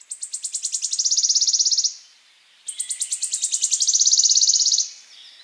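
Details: A warbler gives a mating song of two high, fast trills about two seconds long, separated by a short pause. Each starts with spaced ticking notes that swell and run into a dry, buzzy rattle.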